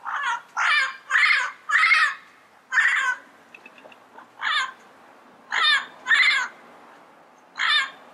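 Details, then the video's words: Yellow-headed parrot calling in the wild: about ten strident, raspy squawks, bunched at first, then given singly and in pairs with brief quiet gaps. "Yellow-Headed Parrot Sounds - Natural Bird Calls and Songs in the Wild"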